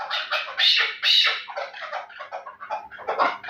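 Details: Terali chukar partridge, bred for fighting and hunting, uttering a few loud, grating notes, two of them longer and stronger near the start, followed by softer, uneven clucks.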